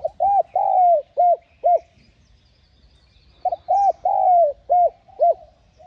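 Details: Two matching coo phrases from a spotted dove, each a short double note, a long slurred falling coo and two clipped arched coos, separated by about two seconds of near silence; used to lure wild doves.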